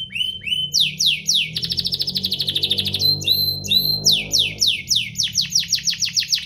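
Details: Domestic canary singing to provoke other canaries into song: fast repeated rolls and downslurred notes, high and bright, with a sustained buzzy trill in the middle and quick chirps, over a soft low background hum.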